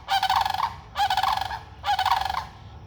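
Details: Sandhill cranes near food give three strong rattling trumpet calls, each a rolling, vibrating burst lasting under a second, separated by short gaps, against a quiet low background.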